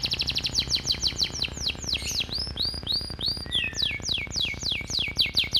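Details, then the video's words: Canary training song with sparrow, cigun and flamboyan fill-ins: a quick trill slowing into swooping, down-slurred whistled notes and a low gliding whistle, set over a steady rapid mechanical-sounding pulse. "Kenari Isian Gereja- Bren Cigun-Flamboyan #(Master Vocal)"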